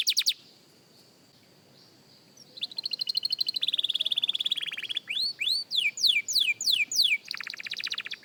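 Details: Practice song of a young canary: a brief burst, a long soft high whistle, a rolling buzzy trill, then falling whistled slurs and a final rapid trill.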